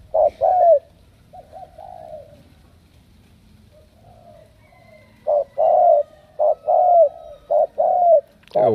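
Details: Strong-cooing spotted dove from Cà Mau delivering low, hollow coo phrases, a few soft notes, a pause, then a run of loud paired coos roughly once a second, quiet background.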